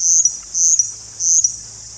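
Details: Russet bush warbler singing in India, seen well: a high, dry, insect-like buzz, each buzz ending in a quick tick, repeated about every two-thirds of a second.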